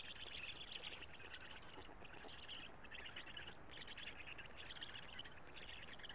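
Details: Black stork chicks in a nest at Karula, Estonia, on 3 June, being fed by the adult male. Their changed voices give continuous squeaky, chattering calls in overlapping bursts over faint broadband noise.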